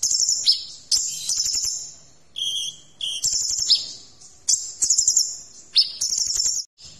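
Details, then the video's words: Kolibri ninja sunbird song used as a tutor recording for training magpie-robins and other birds, with full, sharp phrases: high, thin twittering bursts and buzzy trills separated by short pauses, repeated about every second. "Masteran Kolibri Ninja Isian Mewah"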